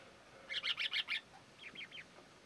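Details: A male Red-rumped parrot at Patchewollock Conservation Reserve, Victoria, gives five quick, bright chirruping notes in a burst, then three fainter, thinner notes a moment later, high-pitched over a quiet background.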